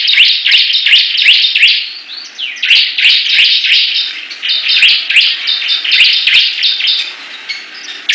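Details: Several Bar-winged prinias compete, trading fast series of high rising chirps and buzzy trills, dense overlapping song with short dips in loudness throughout.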